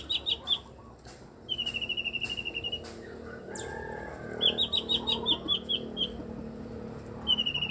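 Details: Blue-winged leafbird, eight years old, giving odd sounds: series of rapid clipped chirping notes repeated in short bursts, with a quick descending sweep midway and faint background hum.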